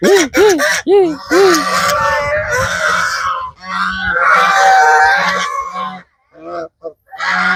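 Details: Domestic geese on a small village family farm in Cambodia, gathering at feeding time: loud nasal honks in a quick series of arched notes at the start, then a dense overlapping flock chorus, with brief gaps of quiet.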